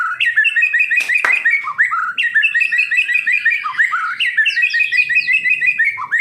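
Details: Medan-type white-rumped shama, a kept songbird, singing a fluent run of whistled and chattering notes with quick downslurred flicks, interrupted early by two sharp clicks.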